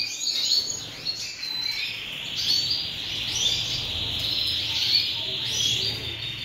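European goldfinches give a fast, tinkling twitter of high, liquid notes and thin buzzy trills, running unbroken and overlapping as if from more than one bird.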